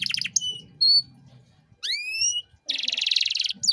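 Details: Canary song used as a master recording for training young birds: a short trill, a pure whistled note, a rising slurred whistle, then a dense buzzy rattle, with gaps between phrases.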